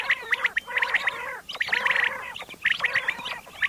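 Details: Morning call of a common quail: short notes grouped in clipped triplets, each cluster about a second long and repeated about once a second, with a harsh, grating edge.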